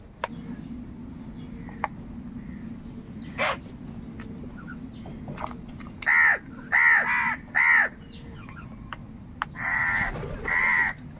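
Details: Crows fighting for food give loud, harsh caws: a burst of three ringing caws in quick succession, then two longer drawn-out caws near the end, after scattered fainter calls over a steady low background rumble.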